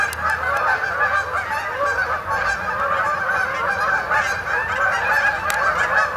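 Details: Canada geese flying in to spend the night on a pond at Sapsucker Woods, Ithaca, 28 October 2017; a massed, steady honking from many birds with a few sharp clicks over the top.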